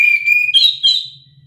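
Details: Orange-headed thrush song, presented as a provoking song that makes other birds answer in agitated call-and-response singing: a loud, steady, high whistle, then two brighter, higher whistled notes fading out, with a faint low hum beneath.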